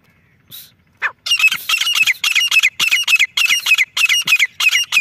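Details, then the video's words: Female grey francolin calling: a fast run of harsh, high, scratchy notes in quick bursts, roughly three per second, after two brief introductory notes, loud and close. "Desi Teetar madi ki awaz"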